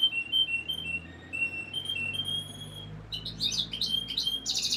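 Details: Singing canary used to condition females for breeding, giving clear high whistled notes repeated in short phrases, then switching abruptly to loud, rapid buzzy trill bursts near the end.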